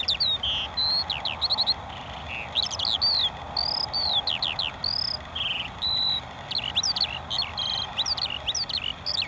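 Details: Continuous lark song of bright whistled slurs, brief trills and chirps rising and falling at high pitch, delivered in quick bursts over a steady hissing background.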